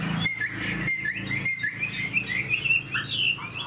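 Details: Large-bodied caged Chinese hwamei with a broad tail, singing continuously: a run of loud, slurred whistled notes that climb gradually higher, ending in a few sharper upward swoops, over a low rumbling background.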